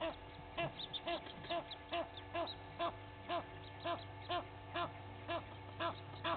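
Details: Egyptian geese at Gowrie dam waterhole, Djuma Game Reserve, Sabi Sand, South Africa, two families fighting in the early morning; rhythmic honks repeated roughly twice a second over steady background hum and distant bird chatter.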